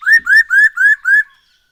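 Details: Black-throated laughingthrush song played as a lure to make other birds sing: five loud, evenly spaced whistled notes, each arching slightly upward, delivered in quick succession over about a second.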